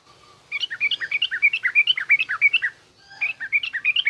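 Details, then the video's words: Yellow-vented bulbul song in the trucukan garuda and rough ngriwik styles, used to tutor young bulbuls: rapid bright chirping phrases of quick rising and falling whistled notes, a two-second burst, a pause, then another run. "suara burung trucukan garuda lanjut trucukan ngriwik kasar ini pas tuk terapi trucuk muda ajar bunyi"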